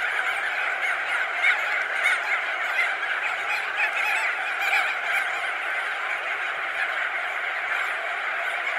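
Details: Thousands of crested auklets perched and wheeling overhead keep up a steady honking chorus, with individual louder calls popping out irregularly over the continuous din.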